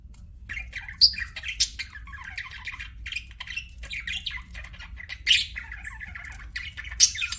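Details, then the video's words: Pet budgies give continuous scratchy chatter mixed with short sharp squawks, a few louder piercing notes standing out above the warbling, over a faint low hum. "CUTE PET BUDGIES"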